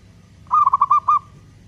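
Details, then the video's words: Local zebra dove cooing, a long-beat song meant to lure and provoke other doves into singing: one quick phrase of about five clear, rolling, knocking coos. "Perkutut lokal gacor suara ketukan panjang, cocok untuk pancingan"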